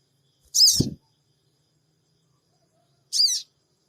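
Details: Sooty-headed bulbul lure call, the 'cingik cingik' sound meant to provoke a reply, recorded on an Android phone in Purbalingga: two short, sharp, high buzzy notes about two and a half seconds apart, with a low thump after the first, otherwise silent.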